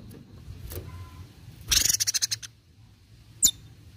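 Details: Cucak cungkok heard on a bird-training recording, giving a quick run of about eight sharp, high pulsed notes that fade out, followed later by a single brief high click, over steady low hum.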